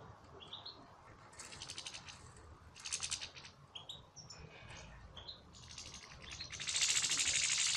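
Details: Caged goldfinches in a breeding aviary: lively tinkling twitter with rising chirps and buzzy phrases, ending in a loud, sustained harsh chattering burst, with some wing flutter.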